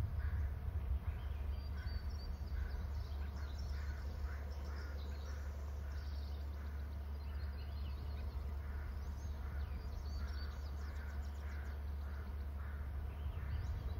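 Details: Eagle on the nest giving scratchy calls, a long run of short raspy notes at irregular intervals, set against constant low-pitched background hum.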